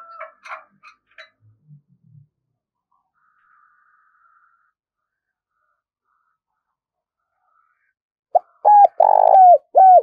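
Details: Spotted dove used as a lure bird gives a burst of cooing near the end: a short note, a long purring coo and two clipped coos, after faint scattered sounds and a long quiet stretch.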